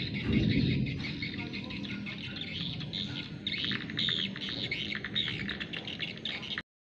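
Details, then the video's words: Busy chorus of swiftlets near a house under cloudy skies, rapid squeaky chirps overlapping in quick succession, with low rustling noise beneath before the sound cuts off abruptly. "NYANYIAN BURUNG WALET BELAKANG RUMAH"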